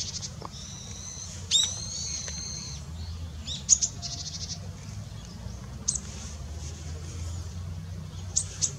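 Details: Male and female long-tailed rosefinches on 20 December 2016 give high, thin whistles, some drawn-out and gently falling, then brief sharp chips at irregular intervals, with low rumbling noise beneath.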